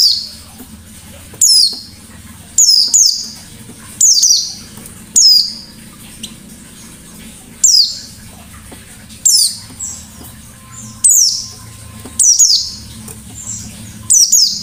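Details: White-eye singing 'ngalas' style: loud bursts of high, steeply falling notes, often doubled, repeating roughly every one to two seconds across the recording, with steady low hum behind.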